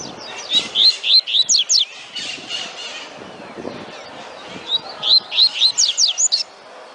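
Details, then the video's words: Double-collared seedeater (coleiro) singing a tui-tui style song: two bursts of high, quick slurred whistles, each a rapid run of sliding notes, with a background hiss between phrases. "COLEIRO CANTANDO TUI TUI"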